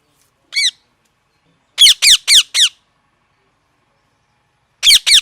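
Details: Parrot chirping: one loud harsh squawk, then a rapid run of four grating, downward-sweeping squawks, a pause of two seconds, and two more squawks close together.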